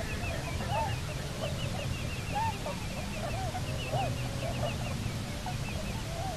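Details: Cahow couple back at the Nonsuch Island nest site, Bermuda, 29 October 2018: slurred, arching moans every second or so, joined by a higher quavering, wavy trill running through the clip, all over low wind noise.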